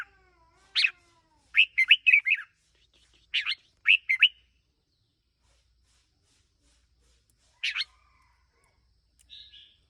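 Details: Red-whiskered bulbul, a one-year-old decoy bird, singing short bursts of bright, chirpy warbled notes in four quick phrases over the first five seconds, a lone phrase near eight seconds, then a faint brief note; quiet gaps between.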